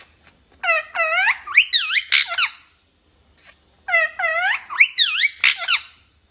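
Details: Talking parrot indoors in a small room, giving two bursts of high, strongly harmonic speech-like phrases with rising and falling syllables, separated by a short silence.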